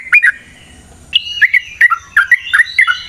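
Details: Yellow-vented bulbul (trucukan) singing to provoke a fighting response; short bubbling phrases, a pause, then a run of loud liquid, rolling notes rising and falling.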